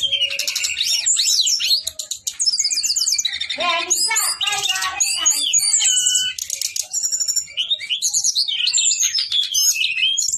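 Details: Male Brown-chested jungle flycatcher delivering a long rolling song of rapid, varied notes: warbled whistles, quick ascending and descending slurs and harsh buzzy trills packed tightly together with almost no gaps.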